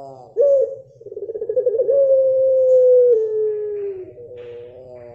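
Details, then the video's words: Blorok pelung dove coo: a sudden loud accent, then a throbbing crescendo that becomes a long, slowly falling tone, ending in a lower step. Faint low rumbling background and a soft harmonic note follow. "Puter Pelung Blorok 100% Joss"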